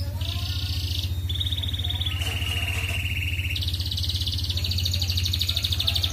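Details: Red canary singing in the continuous rolling 'gacor ngerek' style, used as a master song to raise breeding desire in female canaries; long buzzy trills held on one pitch, stepping down then jumping higher, over a steady low hum.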